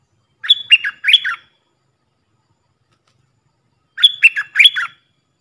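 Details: Puff-throated Bulbul decoy song used to train young birds: two quick, bright phrases of four or five slurred, chattering notes, each lasting about a second and spaced three seconds apart, with nothing else audible.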